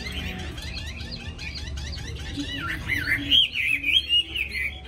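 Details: Tame caged Hwamei said to have a wild-style voice and to sing readily once hung up, giving a continuous stream of quick chirps and fluid whistles that grows louder toward the end with bright, wavering phrases.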